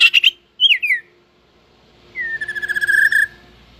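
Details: Competing song of a white-rumped shama just coming into fighting form and tail-flicking: a rapid harsh chatter, then a slurred descending whistle, then a long steady rattling trill that swells in loudness.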